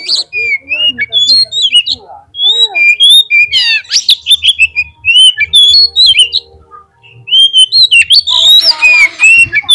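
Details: White-rumped shama lure song, played to prompt shamas to sing at contest fields: dense, fast run of varied whistled and trilled notes, sharp chirps and rattling bursts, almost without pause, with a faint low hum beneath.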